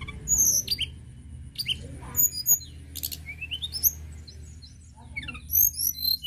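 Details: Energetic Sunda robin singing a varied string of piercing high whistles, upward-sweeping slurs and quick twittering notes, with a faint steady tone and low hum behind.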